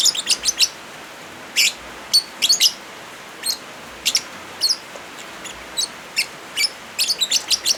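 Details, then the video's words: Lovebirds, mixed with rain sounds, meant as therapy or training for birds that have stopped singing: sharp high chirps and short squeaky notes come in quick clusters every second or so over a steady hiss of rain. "Suara Original Lovebirds kombinasi suara hujan"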